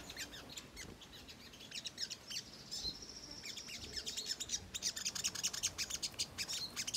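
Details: Ruby-cheeked sunbird; song; lure to provoke other birds into responding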